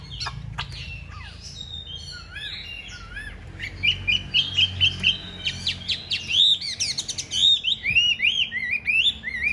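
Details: Chinese hwamei kept as a cage bird, singing in a spreading fighting display: sharp clicks and slurred whistles give way to a quick run of about six repeated bright notes, then varied loud warbling phrases.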